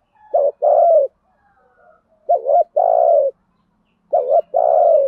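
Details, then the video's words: Decoy spotted dove calling to lure wild doves, giving three low two-part coos roughly every 1.8 seconds, each a short wavering note then a longer even coo, with faint background hum. "chim cu mồi thúc gù bài bản nhất hiện nay, chim cu gáy kích bổi hiệu quả nhất hiện nay"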